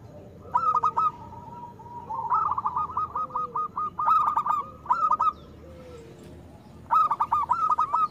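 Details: Zebra dove of a local strain, a lure for doves slow to sing, producing stuttered coo bursts and a long rolling purr, with a second fainter lower coo line in places, several phrases in a row.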